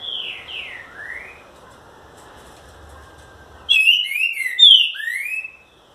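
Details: Loud special song of a green-winged saltator (trinca-ferro): a few fainter descending and rising whistles, a pause, then a powerful burst of ringing, slurred whistled notes ending in a rising note.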